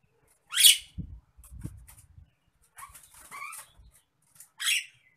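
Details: Nias hill myna in an agitated state, giving two loud, harsh, rasping screeches several seconds apart, with short rising whistled notes and soft clicks in between.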